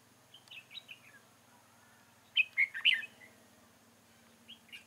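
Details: Red-whiskered bulbul recorded during bird trapping at Chương Mỹ on 7 October 2018: short, bright warbled phrases, a few soft notes, then a louder burst of quick, rich whistled notes and a final brief phrase, over faint steady background hum.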